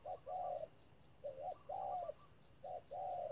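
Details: A decoy spotted dove at a trap repeats coo phrases: clipped opening note, long even coo, a curved short note and another long coo, spaced roughly every second, low hum behind.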